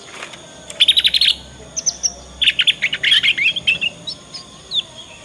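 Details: Young Yorkshire canary giving its ngriwik practice song, meant as a master lure so other canaries answer and learn quickly. Fast bright trill bursts, then a long run of rapid chirps tapering to scattered notes.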